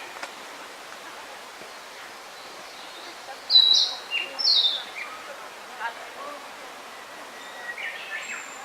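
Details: Narcissus flycatcher on Mount Rokko giving a short burst of high whistled notes mid-clip, followed by softer scattered chirps against steady background hiss.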